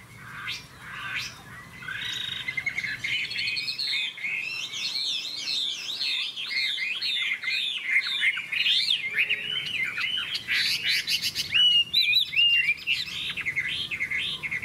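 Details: A yellow Chinese Hwamei in competitive singing, placed between two other hwamei and unafraid of them, pours out a loud, rich song of rapid looping whistles and slurred phrases, sliding up and down with scarcely a pause.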